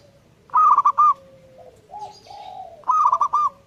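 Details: Two rolling coo phrases from a zebra dove singing vigorously, each a fast series of pulsed tonal notes ending with a downward slur, separated by soft, sustained low coos and a faint higher chirp.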